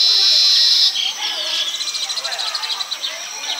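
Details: Baya weaver in rural Bengal, building its nest high in a palm tree and calling to attract a female: a loud, sustained buzzy wheeze, then a fast run of rattling high pulses with soft chirps beneath.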